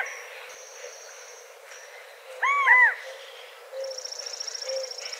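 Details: Natural sound of a California quail: a loud burst of overlapping arched, slurred notes at mid-clip, framed by a thin steady high whine before and a rapid, pulsing high trill from another bird toward the end.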